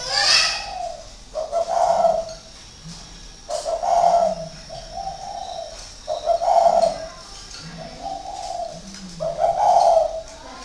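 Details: Caged spotted dove, a hard decoy bird kept six years in a cage at a breeder's aviary in Ba Vì, Hanoi, Vietnam; deep hollow coo phrases repeated about every two to three seconds, each a strong coo followed by softer, lower notes.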